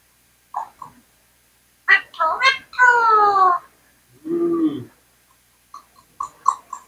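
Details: Indian parrot speaking indoors: soft clicks, then a burst of quick nasal syllables and a long falling word. A lower, hoarse drawn-out sound follows, then scattered short clicks and chirps.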